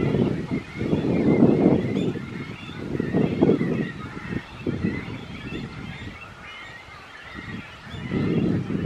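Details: Great cormorant at the nest while raising chicks, filmed from a distance: low, hoarse, croaking bursts in uneven clusters, loud at first, fading midway, then returning near the end.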